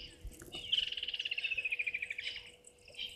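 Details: Juvenile martial eagle perched in a tree across Gowrie dam, Djuma Game Reserve, Sabi Sand Wildtuin, South Africa, 2 May 2023 at 16:07; a rapid string of pulsed whistled notes gradually sliding lower over about one and a half seconds, steady insect hum beneath.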